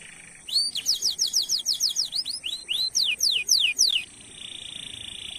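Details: Canary singing a training-lure song meant to prompt other canaries to sing: after a short buzz, a fast series of steep downslurred whistled notes, about three per second, ending in a soft buzz.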